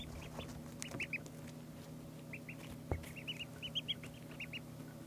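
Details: Ducklings two days old give bright, thin peeps, each a brief rising chirp, strung in rapid groups of three or four, with a soft thump and a constant low hum behind.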